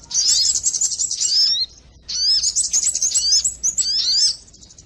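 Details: Sogon lure sound, the crimson sunbird, for trapping birds: a fast run of shrill chirps, a short silence near two seconds, then more high twittering with slurred squeaks.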